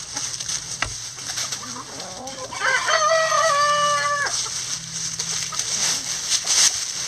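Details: Backyard coop chickens scratching through a pile of leaves; a loud, drawn-out crow lasting nearly two seconds, stepping up then holding a flat, rich-toned note, with faint clucks before it and constant background hiss.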